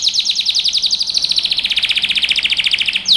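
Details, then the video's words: Canary singing for young birds to learn: one steady, very rapid trill of evenly repeated down-slurred notes, gliding gradually lower in pitch throughout. "Canary Singing | Melodies Canary Bird Song"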